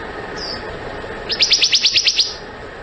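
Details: Black-naped monarch giving a single soft note, then a crisp, even run of about eight bright upslurred chirps in under a second.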